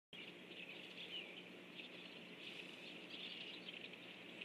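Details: A group of rusty blackbirds flying in at about 7:55 am on 17 October 2013 fills the air with a steady, dense chatter of high, squeaky chips and chacks that overlap without pause.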